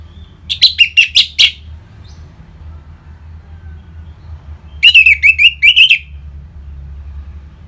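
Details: Orange-headed thrush singing in loud ngeplong style, used as a lure to make other caged birds sing: two bursts of rapid, sharp whistled notes about four seconds apart, with a low steady hum beneath.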